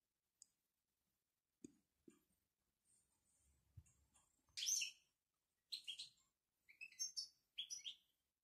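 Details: Moroccan European goldfinch in betbeta twitter: scattered soft ticks and clicks, then from the midpoint louder bursts of high, tinkling and buzzy notes in short separate phrases, with quiet gaps between them.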